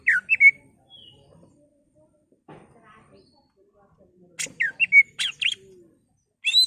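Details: Greater green leafbird in ngentrok song with mimicked phrases, meant to provoke rival leafbirds: brief bright whistles at the start, a quiet gap, then a cluster of quick slurred whistles and chips, with a final burst at the end.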